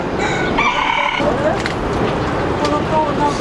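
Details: Roosters crowing near a gate and house on the way to Kochi Castle, Japan, where chickens are kept in a cage. A loud harmonic crow in the first second, then general outdoor noise with faint bird chirps.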